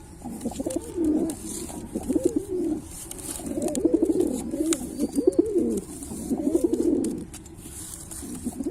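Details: Cooing of a Pilkha pigeon, several overlapping throaty, bubbling coos with wavering pitch arriving in bunches, brief pauses between phrases, light hiss behind.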